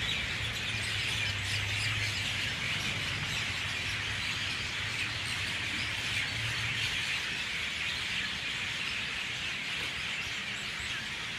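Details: Dawn chorus of many mynahs as birds start leaving the trees: a dense, unbroken wash of shrill, squeaky chatter, with a low engine-like hum underneath for the first seven seconds.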